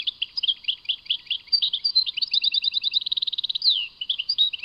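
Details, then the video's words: European goldfinch singing Tadmait: steady twittering, paired chirps speeding into a rapid buzzy trill, then a downslurred whistled note and further bright, jumbled twitters. "Chant chardonneret Tadmait"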